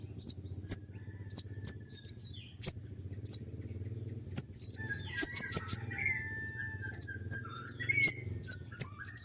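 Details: Common iora in full song, delivering long sharp rapid bursts used as a tutor recording for other songbirds: high, thin downslurred notes, singly and in quick clustered runs, over a steady low hum.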